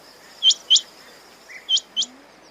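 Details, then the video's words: Quail giving two pairs of short, sharp, high chirps, each pair quickly repeated, with a fainter lower note between them over a quiet background. "Quail sounds"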